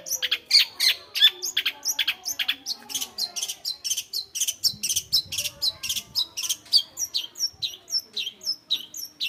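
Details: Home-kept long-tailed shrike in lively song: rapid repeated sharp chirps and short downward-slurred whistles, steady and dense throughout, with a brief low rustle near the middle.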